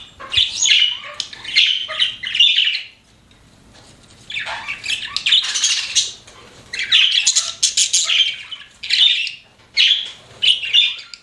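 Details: Chirping pet budgerigars give loud scratchy squawks and twitters, a pause in the middle, then renewed bursts of high chattering notes.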